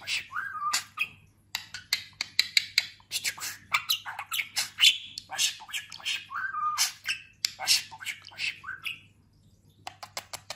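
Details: Pet talking budgerigar, freshly through a molt and grown plump, chattering in a rapid, dense stream of squeaky, scratchy notes and short warbled whistles, with brief pauses between bursts.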